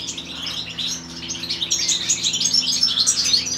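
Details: Feeding of a chaffinch chick by its parent: quick, high, thin chirps repeated about four per second, building busier and louder toward the end, over a soft low background hum.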